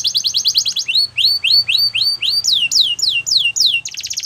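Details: Canary singing to stimulate other canaries to sing: rapid trills of repeated high notes, then a run of downward-sweeping whistled slurs, ending in a dense buzzy rattle.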